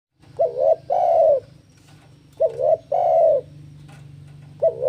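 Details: Spotted dove in breeding condition, challenging a rival: repeated two-part coos, a short hooked note then a longer throaty one, each pair about two seconds apart, over a low steady hum.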